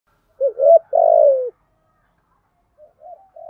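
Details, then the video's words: Spotted dove in Vietnam, a deep 'giọng thổ' voice in the structured 'thúc gù' cooing style, used to provoke wild doves. One low coo phrase, a quick double note then a longer falling note, followed by faint soft notes. "chim cu gáy giọng thổ bài bản thúc gù, chim cu gáy đất bài bản gù thúc, chim cu gáy kích bổi"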